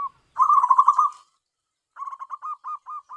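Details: Tame local zebra dove used for luring wild doves: one loud rolling, vibrating coo, a pause, then six short softer coos in quick succession.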